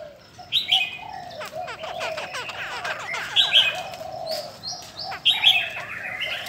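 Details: Female Chinese hwamei, da bò type, kept caged and flicking wings and tail, said to excite males; three loud high whistled bursts about two seconds apart over constant chipping from other birds.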